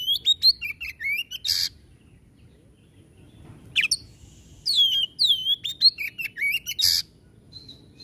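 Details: Energetic 'tembakan' song of a white-rumped shama, mixing rising and falling whistles with scratchy broadband bursts in two rapid runs separated by a quiet gap of about two seconds.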